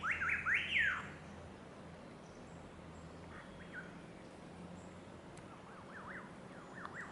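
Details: Striated laughingthrush (Grammatophora striata) at Chhukha Tashigatshel, Bhutan, giving loud, rich whistled calls that swoop up and down, a strong burst at first, then fainter rolling phrases over a steady low hum.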